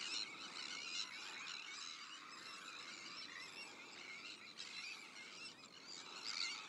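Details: Crowded Sandwich tern breeding colony, shared with black-headed gulls, Arctic terns and common terns. Rasping, high cries pour out continuously, and a sharper, louder call comes near the end.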